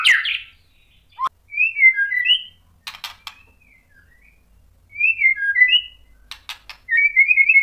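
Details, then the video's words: White-rumped shama lure song for provoking other shamas: clear, fluting whistled phrases of three or four notes, repeated after pauses and separated by sharp dry clicks. "KICAUAN MURAI BATU bikin NYAUT EMOSI jadi BUNYI GACOR NGEPLONG BONGKAR ISIAN | PANCINGAN MURAI"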